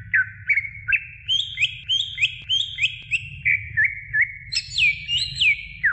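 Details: Greater green leafbird singing to stimulate young birds, a lively string of whistled notes repeated roughly three times a second, rising into higher held phrases and ending with swooping falling whistles.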